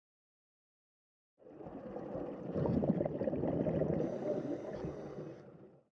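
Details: Silence gives way to about four seconds of splashing, gurgling water, with no animal calls.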